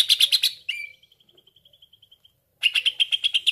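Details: Cucak ijo lure for trapping birds: rapid buzzy chattering notes, then a long even trill of tiny clicks lasting over a second, followed by more fast chattering.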